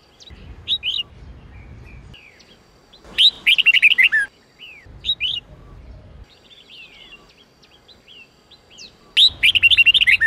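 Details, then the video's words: Red-whiskered bulbul song used to train voices, 8-9-10 note style. Scattered short whistles and two loud, rapid warbled phrases of many notes, each ending in a falling slur, over intermittent low rumbling. "Luyện giọng chào mào hót hay âm 8-9-10"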